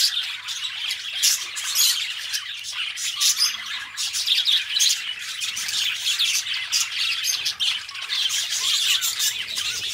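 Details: A pair of pet budgerigars singing and chattering: steady, dense high warbling with rapid clicks, raspy chirps and occasional thin whistles throughout.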